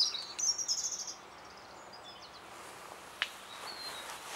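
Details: European robin singing in spring 2014 in response to playback of an earlier recording: a brief, high, thin warbling phrase of rapid twittering notes. Fainter wispy notes follow over quiet outdoor background noise, with one sharp click.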